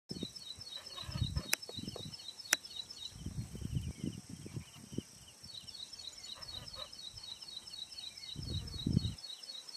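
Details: Ashy prinia singing in Manas National Park: a long series of thin, high, evenly spaced notes, repeated rapidly, pausing and resuming, over low rumbling wind noise and a few faint lower chirps.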